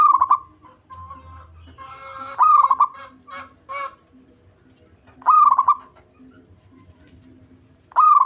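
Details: Bass-voiced local zebra dove, a type used to lure birds, cooing in stuttered pulsed phrases. A burst of harsher, broader calls and clicks crowds the middle before two more clean coos follow, with a low background hum.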